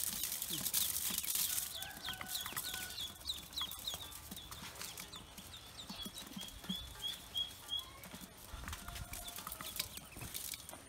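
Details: Newly hatched Pekin ducklings on a farm utter high, short peeps, some in loose runs and some drawn out and level, over steady rustling and handling noise.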